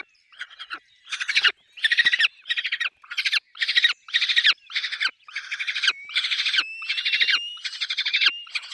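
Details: Peregrine falcons at their nest with chicks, giving loud grating, rasping calls in steady bursts of about half a second, repeated roughly every half second to second, growing longer and more continuous toward the end.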